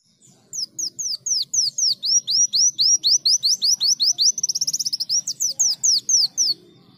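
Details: Greater green leafbird singing in canary-imitating style: a rapid series of sharp, down-slurred high whistles repeated about four times a second, breaking into a quicker buzzy trill midway, then resuming the slurred notes. Faint low murmur in the background.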